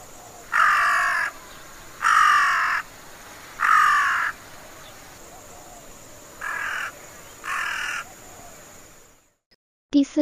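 Collared Crow giving five harsh, rasping caws, each under a second, at uneven intervals of about one to two and a half seconds.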